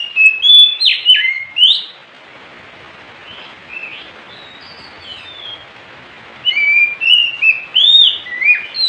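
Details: Oriental magpie-robin singing in bursts of quick, sharp whistled and chirped notes that jump up and down in pitch. A quiet pause sits between the two bursts, with faint background hiss.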